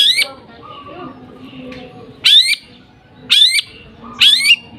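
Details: Three loud, shrill rising squeals from a lovebird, each about a second apart after a quiet start, in the song style known as nembak gereja sambung; a soft low hum runs beneath.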